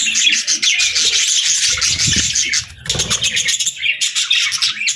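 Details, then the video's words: Loud, bright parakeet chirping fills a summer scene: rapid twittering chatter, a short dip around the middle, then more fast warbled notes, with a low flutter beneath. "Parakeets Chirping Sounds"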